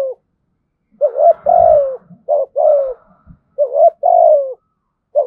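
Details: Spotted dove giving its cooing call in a fine, well-formed style with a thunder-like voice; low hollow coos around a steady pitch, grouped in short two- and three-note phrases, the longer notes slurring gently downward, with brief quiet gaps between.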